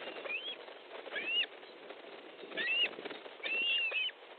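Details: Osprey at a nest in Estonia on 13 July 2014 at 19.30, during a fish delivery: thin whistled calls, some rising then falling, in four bursts over low rumbling background noise.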